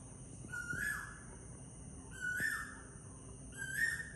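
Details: In a Sri Lankan garden in the morning, an Asian koel gives three loud, clear whistled notes, each rising sharply, about one and a half seconds apart, over a steady high hiss.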